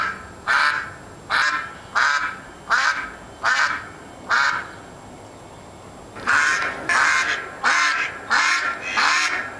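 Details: A free-roaming mallard that a neighbour once fed, now a neighbourhood duck acting as a quacking alarm clock, gives loud, harsh quacks at a steady pace, six in a row, a short pause, then five more.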